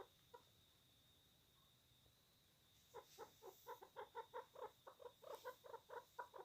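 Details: Pet chukar partridge, angry and fighting: silence for three seconds, then a fast, uneven series of harsh, clucking chuk notes, about two per second, growing louder toward the end.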